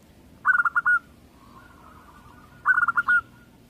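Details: Local zebra dove singing two phrases, each a quick run of soft staccato coos that ends in a longer held note, with a faint trailing echo and quiet pauses between.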